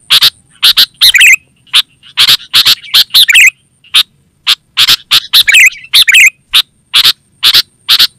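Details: Kutilang, the sooty-headed bulbul, in a lure and master recording for wild and caged birds: dense runs of hard chattering notes with several bubbly, gurgling whistled phrases mixed in, over a thin constant high tone.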